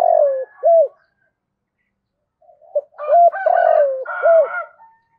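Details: Two spotted dove decoy coo phrases in 'giọng thổ' voice: a long falling coo with an arched note, then a fuller phrase overlapped by a higher, rougher sound.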